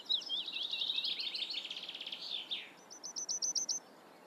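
A black redstart sings a high, rapid, scratchy warble that slurs downward, then ends with about eight quick, evenly spaced ticking notes. No other sounds stand out.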